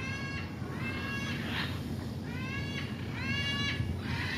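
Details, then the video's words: Macaws at Colinas del Bosque, Puerto Rico, giving a series of nasal, harmonic, slightly rising calls in short bursts about every second, over a steady low rumble of background noise. "Guacamayos de la Colina"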